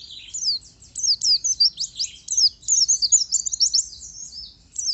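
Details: Energetic oriental white-eye song from a caged bird, a dense chain of squeaky high twitters and downward-sliding notes, steady for several seconds before fading, one last chirp at the end.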